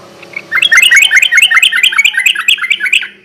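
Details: Sooty-headed bulbul singing in the rapid 'gacor garuda ropel' style, used as a night-time lure: a fast, steady run of sharp chirped notes, about two and a half per second, after a faint low hum.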